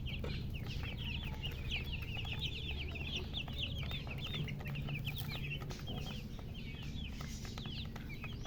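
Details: Many chicks peeping busily, high wavering chirps that dip and rise in fast succession, softer toward the end, with a persistent low hum behind them.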